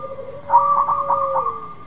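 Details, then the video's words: Lively local zebra dove song meant to entice a silent dove: a low steady coo with a run of quick, choppy, stuttered notes laid over it. The coo fades slightly downward at the end. "Perkutut lokal gacor memikat perkutut yang macet bunyi"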